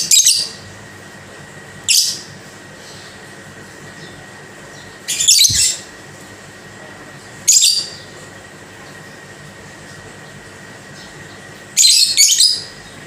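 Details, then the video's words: Caged lovebird giving short bursts of high, scratchy chatter every few seconds, separated by quiet stretches with a constant background hum. "Lovebird Bunyi Pelan TAPI Pasti"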